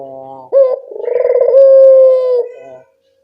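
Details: Local Barbary dove calling as a lure to draw replies: a soft murmur, then one phrase with a sharp rising note, a rolling coo and a long even hoot that trails off into silence.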